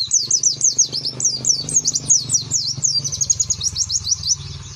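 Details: White-eye (pleci) singing in the 'nembak-nembak' style, a rapid burst song meant to get other white-eyes to join in: a continuous stream of quick, very high, thin chirping notes in fast rolling phrases throughout, over a faint low hum.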